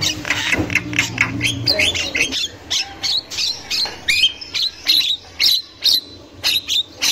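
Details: Javan myna in the wild, very vocal, a female's chattering used as a lure for young mynas: harsh, buzzy squawks and chips in a quick burst, then spaced rasping notes about every half second, with a faint low hum early on.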